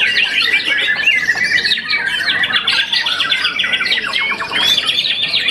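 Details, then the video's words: Young White-rumped shama after its first moult, a contest champion, sings non-stop: swift chattered notes, sharp upward whistles and brief rattling trills tumbling one after another. "murai batu muda mabung satu kali"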